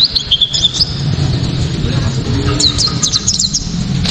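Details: A white-eye sings sharp, clear 'tembakan' phrases meant to spur other white-eyes into song. Brief high twitters at the start and again near the end, with a gap of quieter sound between and strong low-pitched background noise throughout.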